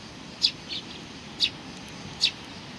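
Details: Sparrows greeting on 27 July 2020, giving four brief high chirps spaced irregularly, one softer and lower, against a constant faint rumble.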